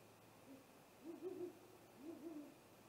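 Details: Great horned owl (Bubo virginianus) gives deep, soft hoots, a faint one then two slurred, wavering phrases about a second apart, over a low hum, at a Great gray owl nest cam during an attack on 30 March 2018.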